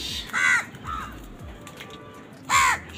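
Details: Crows fighting for food, giving two loud, strident caws about two seconds apart with a softer caw after the first, against a hiss of background noise.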